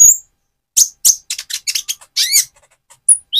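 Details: A spotted immature Van Hasselt's sunbird sings as a lure to provoke another bird: loud scratchy chips in a quick series, a buzzy arched note, then a lone thin whistle.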